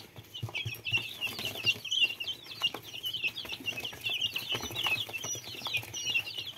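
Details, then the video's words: Little chicks cheeping in a crowd, steady stream of shrill descending peeps from many birds at once, accompanied by soft thumps and rustling. "Маленькие цыплята \Little chicks"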